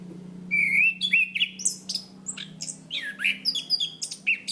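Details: Chestnut-capped thrush (anis kembang, Zoothera interpres), a cage songbird of Southeast Asian forests, in a training recording of lively, clear 'gacor ngeplong' singing: rapid high whistled phrases, rising and falling slurs and sharp chips tumbling quickly one after another.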